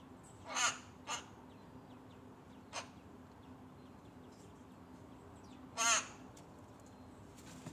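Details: A begging rook chick pestering its parent: a loud rasping caw, a shorter one soon after, a brief clipped note, then another long harsh caw after a pause, with a low steady hum beneath.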